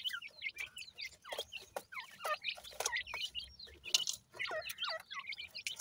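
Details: Several teetar (francolin) chicks keep up a dense stream of high chirps and quick up-and-down peeping notes, overlapping almost without pause.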